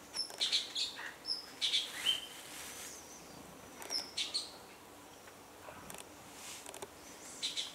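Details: Male Orange-bellied leafbird at Doi Inthanon, Thailand, in high-altitude forest, sings between feeding on fruit: varied high chirps, quick twitters and short thin whistles in irregular bursts, largely mimicry of other birds; soft background hiss.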